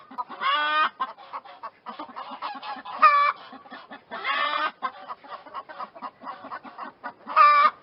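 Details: Several chickens cluck in quick, soft pulses while louder nasal squawks and harsh, broad calls break in every second or two across the recording.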